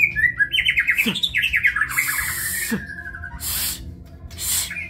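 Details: Kebyok white-rumped shama, a kept songbird, singing a rich varied phrase of rapid rising and falling whistles and warbles, followed by bursts of hissy noise and low thumps from indoors.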